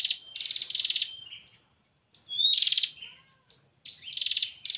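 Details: Female bar-winged prinia calling to the male, used as a lure for birds in the wild: harsh, buzzy, pulsed bursts around half a second long, repeated in a loose series with short gaps, each with a rapid rattling texture.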